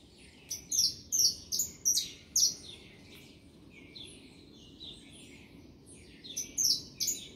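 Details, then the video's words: Saffron finch singing a series of high, sharp chirps about every half second, a softer quieter stretch in the middle, then a few more chirps; steady low background noise. "canário da terra cantando"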